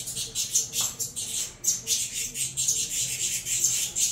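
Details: Hungry saffron finch chicks of a Venezuelan cross calling during feeding, a steady stream of shrill, hissing squeals rising and falling roughly three times per second.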